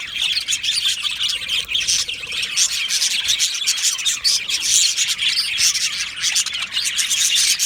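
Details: Chorus of an aviary budgie colony, a continuous blend of high chirps, squeaks and warbled phrases from many birds overlapping, growing slightly busier toward the end.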